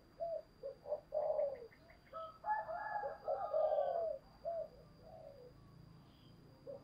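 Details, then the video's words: Decoy dove cooing in the morning, thúc bổi style, heard more distantly over a steady hiss: repeated soft hooting coos, then a louder cluster of overlapping throaty notes, and scattered quieter coos. "Chim cu mồi gáy gọi buổi sáng và tiếng cu mồi thúc bổi rất sung"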